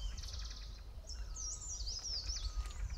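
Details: Green-backed tit parents giving high, thin calls as they fly frantically before their nest hole while a yellow-throated marten eats their chicks: a quick burst of rapid chips, then sharp sweeping whistles, over a steady low background rumble.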